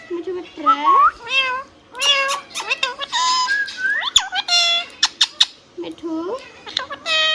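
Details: Indoors, a hand-tame rose-ringed parakeet chatters in harmonic, speech-like syllables with meow-like bends and sharp clicks, in tight rapid sequences.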